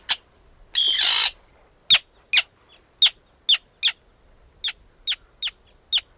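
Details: Arctic tern (Sterna paradisaea), call.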